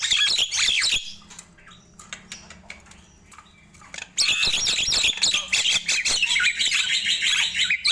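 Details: Nias hill myna singing at morning, a loud squawky burst, a quieter stretch with faint clicks, then a long energetic run of harsh chatter and whistles.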